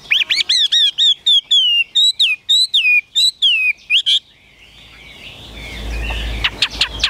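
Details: Chinese hwamei kept in a cage, singing a rapid series of loud, clear whistled notes that swoop up and down for about four seconds before a rising rush of background noise takes over.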